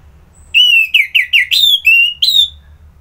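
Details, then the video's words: Orange-headed thrush song: a run of clear, high whistled notes, each short and slightly slurred, delivered in quick succession over about two seconds and ending on a higher, rising whistle; otherwise quiet. "Merdu Kicauan ANIS MERAH Gacor"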